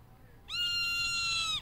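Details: A hawk calling in response to its mother: one sustained, steady scream lasting about a second, clear and harmonic with a slight drop at the end, over a quiet background.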